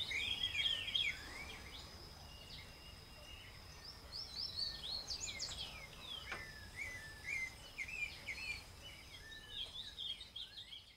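Double-collared seedeater: a busy stream of quick, high chirps and slurred notes, about three a second, over a thin steady insect whine.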